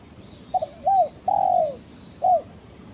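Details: Calling to a companion, a spotted dove gives a quick double stutter, a rounded coo and a long falling coo, then begins again with another short coo. The notes are low and soft, in a quiet setting.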